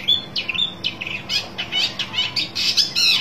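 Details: Long-tailed shrike seeking a rival gives rapid harsh, buzzy bursts mixed with high chattering notes, growing denser and louder toward the end, over a low constant background hum.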